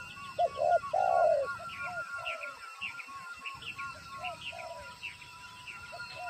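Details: Spotted dove decoy at a trapping lure, calling on sighting a wild bird: one loud phrase of low coos, short notes then a long one, followed by softer coos amid persistent higher chirping from other birds.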